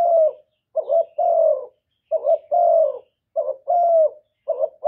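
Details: Spotted dove decoy calling to attract other doves, recorded directly with no background noise. Paired phrases repeat regularly: a rough two-part note, then a longer, smooth, gently descending coo.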